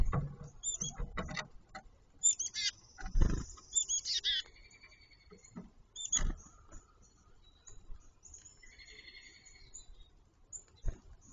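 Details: Grackle calling: harsh clicking bursts and rasping noises mixed with thin, high squeaky whistles, some held briefly, others buzzy and wavering, separated by quiet gaps.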